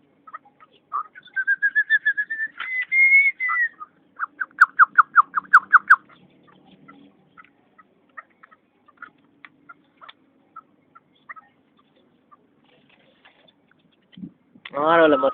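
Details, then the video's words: Chukar partridge recorded on 7 April 2012: a drawn-out note rising steadily in pitch, then a fast burst of about ten sharp clucking notes, scattered soft clicks, and a loud harsh chattering burst at the end. "Chakor Sound"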